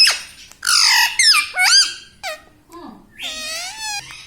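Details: Pet Indian ringneck parakeet talking indoors: a fast run of shrill, squeaky voice-like syllables with sweeping, wavering pitch, broken by short pauses, in a small quiet room.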